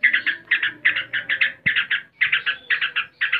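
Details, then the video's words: Ngebren-style yellow-vented bulbul song: bright, rapid clusters of chirping notes pulsing several times a second, with one brief gap midway. "HOROR.!!!! Tembakan SUPER, Trucuk ngebren (gacor)"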